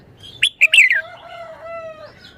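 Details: Caged red-whiskered bulbul in Thailand delivers a fast phrase of three bright whistled notes with a falling slur, followed by steady, level, tonal whistles from another bird.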